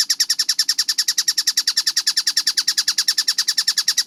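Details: Tengkek buto kingfisher in a clean, fast training track: a regular rattle of bright, harsh notes about eight per second, each slightly falling, continuing without break over a low background hum.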